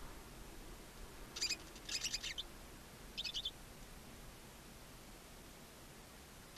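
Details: Two newly born barn owl owlets alone in a nest box on a chimney in Ságvár, Hungary, April 23, 2024, on a live nest camera: a few short, high, chittering bursts around the middle, then quiet background hiss.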